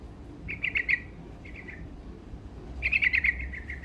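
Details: Lively sooty-headed bulbul song used to arouse rival birds. A quick bubbly phrase is followed by a brief soft trill, then a longer chattering, rippling run at the end.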